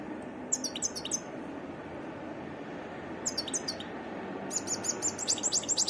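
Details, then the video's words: Short phrases of high, descending chipping notes from a wild European goldfinch, twice with a pause between, then a fuller rapid tinkling trill at the end; a faint low hum stays underneath. "تغريد حسون متنوع"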